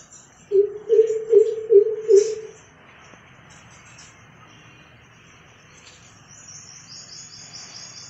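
Greater coucal giving a quick run of five or six deep, hollow hoots, evenly paced over two seconds, against a low city hum and faint high insect buzzing.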